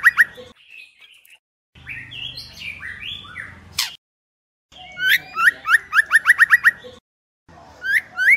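White-rumped shama female: bursts of rising whistled notes, up to about eight a second, with a stretch of buzzier sliding phrases between them.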